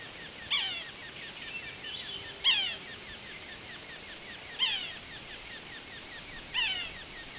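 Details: A male Red-naped Sapsucker moving along a branch on Wishbone trail, Waterton Lakes National Park, Alberta, Canada, at 9:20 AM on 9 July 2023 gives four harsh, nasal, downslurred mewing calls, about one every two seconds, over a faint steady high hiss.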